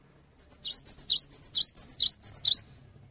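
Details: Cinereous tit singing energetically, used to stimulate other tits to join in. Rapid high phrases repeat about twice a second: a thin high whistle, then a bright dipping note sliding down. Around fifteen notes in under three seconds, with faint low rumble behind.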